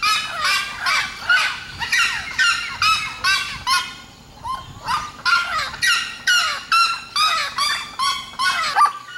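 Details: Red-legged seriema of Mato Grosso in full song, a long steady series of loud, nasal, yelping notes about two per second, each dropping at its end, with a short softer pause midway.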